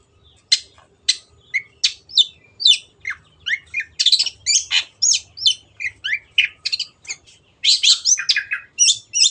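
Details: Long-tailed shrike sings eagerly for a caged-bird training recording: separate sharp chips at first, spaced about half a second apart, then building into a rapid stream of harsh, scratchy and whistled notes.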